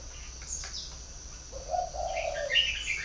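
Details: Chinese francolin kept as a decoy bird (2019) gives a harsh, rasping phrase in the second half, rising then falling, over a thin, steady high insect whine throughout.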